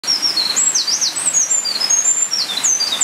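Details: Eurasian wren at what may be the start of its singing season, giving a rapid run of high, thin whistled notes that jump up and down in pitch, over a steady hiss of background noise.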